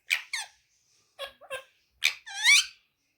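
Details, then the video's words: Rose-ringed parakeet speaking as a talking pet, said to talk in Urdu and Hindi: quick voice-like syllables in pairs, then a drawn-out harmonic wavering phrase, loud and close in a small room. "Bolane wala Tota amazing talking parrot Urdu and Hindi"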